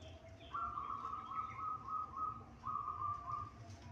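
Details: Local Indonesian zebra dove song: a clear series of mid-pitched cooing notes in two runs, the first of about six evenly spaced notes, then a short pause and a second run of three, over low steady background hum.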